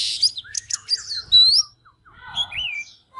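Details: {'caption': 'Oriental magpie-robin in fired-up singing and dancing display: a harsh squawky burst, then long gliding whistles that rise and fall, and a lower warbled slur after a short gap.'}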